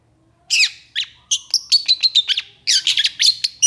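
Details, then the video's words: Energetic 'gacor emosi' song of a long-tailed shrike: silence, then a few harsh separate notes, then a rapid string of short, sharp chips and rasps. "Cendet Gacor Emosi"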